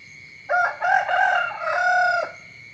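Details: Rooster crowing in the morning: one loud crow of about two seconds, a sharp opening burst, a brief break, then a long sustained drawn-out ending that stops abruptly; a steady high-pitched whine continues in the background throughout.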